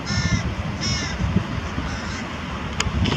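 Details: Near Diemerbos on 22 July 2020, a carrion crow brings prey to its young. Two loud, raspy calls come in quick succession, followed by fainter calling over a constant low hum.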